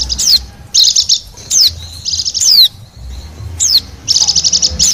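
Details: Bali white-eye from the wild, used as a catching lure: repeated high twittering bursts with quick falling whistles between, each phrase under a second, separated by brief pauses; low background rumble.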